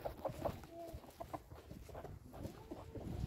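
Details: Chickens feeding outdoors; soft, low clucks and short murmuring notes come in loose clusters, with a few brief drawn-out tones and light scratching or rustling in the background.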